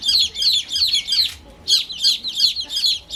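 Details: Newly hatched baby chicks chirping: high, bright peeps in quick bursts of several notes, a short gap in the middle, then more steady peeping.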